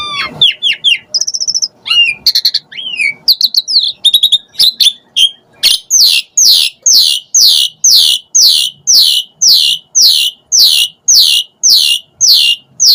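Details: Asian pied starling (jalak suren) used to lure starlings; varied whistles and chatter, then a steady run of sharp descending notes repeated about twice per second.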